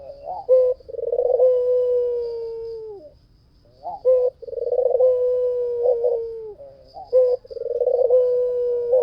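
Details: Vigorous singing of a white dove, used as a lure. Three long phrases each open with a short sharp note, then a throbbing trill that smooths into a low, level hum lasting about two seconds.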